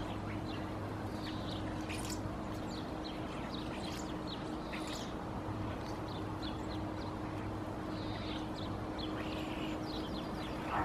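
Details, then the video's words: A flock of Common Starlings (Sturnus vulgaris) forages at a "food aid" feeding site in Helsinki, Finland, in February, chattering with whistles, clicks and squeaky notes over a steady low mechanical hum. "Starlings foraging on the "food aid site", vocalizing"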